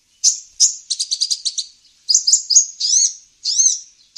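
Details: Olive-backed sunbird lure sound for catching wild birds. Two sharp high chips lead into a quick stuttering trill, then slurred arching high notes.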